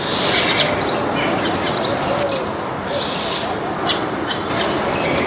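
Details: Several Baya weavers eating grains in a backyard chirp busily. High, slurred tweets repeat quickly against a loud, hissing background.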